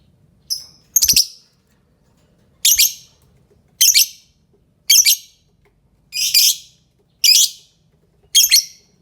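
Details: Lovebird repeating shrill, buzzy shrieks about once a second, eight bursts in a row, each harsh and brief, with a faint low hum behind.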